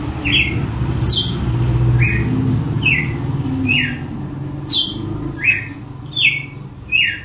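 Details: Açoite song of a red-cowled cardinal, a series of crisp whipped notes alternating between high downward sweeps and shorter lower strokes, roughly one each second, over steady low rumbling background noise.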